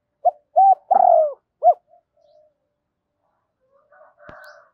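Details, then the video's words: A single spotted dove phrase, thổ voice style, used to prompt a decoy to call: a short note, a rounded coo, a long falling coo and one brief coo, followed by faint rustling and a click. "Tiếng cu gay kich boi nhanh noi, tiếng chim cu gay kich boi nhanh noi gù"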